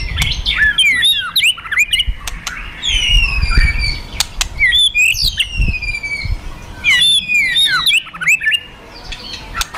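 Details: White-rumped shama, a fighter bird, provoked to fight: bursts of clear whistles and long falling slurred notes, interspersed with sharp clicks and some low thumping, with brief pauses between phrases.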